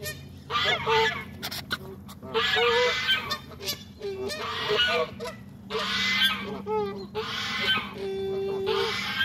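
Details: Waterfowl honking noisily during a Saturday morning feed on a pond; loud harsh honks in repeated bursts roughly every two seconds, several birds calling over one another, with a steady low hum underneath.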